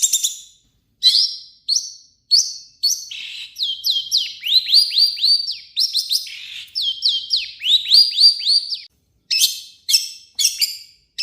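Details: Long-tailed shrike singing a harsh lure song to provoke other shrikes. Short high bursts lead into long runs of swooping, downward-curving whistled notes, repeated rapidly, then clipped phrases again.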